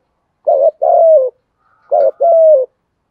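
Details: Spotted dove calling in the 'thổ' voice with 'thúc gù' cooing, for luring birds: two matching phrases about one and a half seconds apart. Each is a short throaty note and a longer mellow coo sinking at the end.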